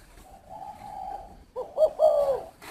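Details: After a steady faint hum, a spotted dove breaks in with a quick coo phrase: two brief notes and a longer, hollow, falling hoot.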